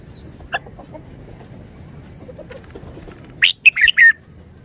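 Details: Red-whiskered bulbul used as a decoy bird in Thailand: after near silence, a sudden cluster of three or four loud, bubbly whistled notes.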